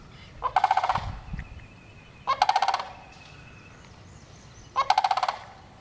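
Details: Three rolling, pulsed rattles from a sandhill crane, each about half a second long and spaced roughly two seconds apart, over a low, rumbling background with a brief low thump near the start.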